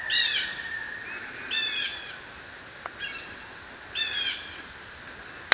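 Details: Male house finch at a backyard in Talking Rock, Pickens County, North Georgia, USA, 27 Oct 2012, early for the season, overcast then sunny, windy and cool (~55°F), during pishing: four short nasal chirps about every 1.5 seconds over high hiss.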